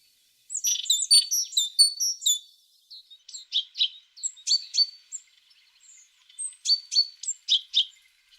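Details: Singing tit giving bright, high, clipped notes in fast irregular bursts, with a dense cluster at the start, then scattered chirps and a short renewed flurry after a brief pause.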